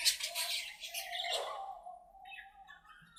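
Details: Playing budgerigars in their aviary give a burst of scratchy chatter and then a long, wavering, drawn-out warble that fades, followed by softer twittering.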